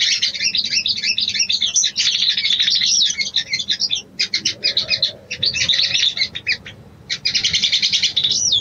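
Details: Female sooty-headed bulbul calling the male, used as a mating lure: dense, rapid high chattering in long bursts, broken by short pauses near three, four and seven seconds, with faint low background hum.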